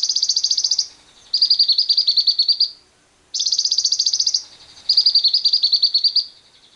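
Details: Lovebird long ngekek trill, used as a lure to make other lovebirds trill too: high, buzzy, rattling phrases around a second long, each followed straight away by a slightly lower, longer churring rattle, the pair repeated twice.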